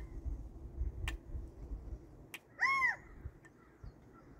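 A single California quail note, loud and slightly nasal, arching up then down for under half a second. A few sharp clicks and low rumbling background noise surround it.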